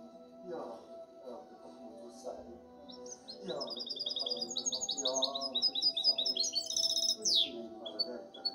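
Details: European goldfinch hybrid, kept in captivity, delivers a fast twittering song of repeated high tinkling notes that builds toward the end and finishes with a quick downward swoop, over low background murmur.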